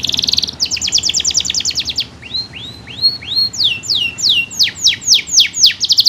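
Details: Vigorous canary song used to train other canaries: a buzzy high trill, a run of short clipped notes, then arched whistles and a long string of steep falling slurs, about four per second, in a quiet background.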